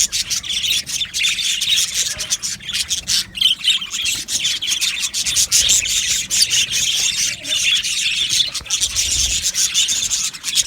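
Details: Colony of Australian budgies in an aviary, many birds chattering at once in a dense, continuous wash of high, scratchy chirps and warbles with brief louder squawks throughout.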